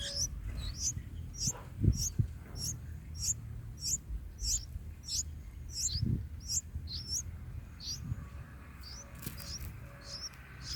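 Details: Bulbul nestlings being fed by a parent in the nest, day four; high thin squeaky chirps repeated about twice a second in a steady series, with low rumbling handling noise and faint thumps underneath.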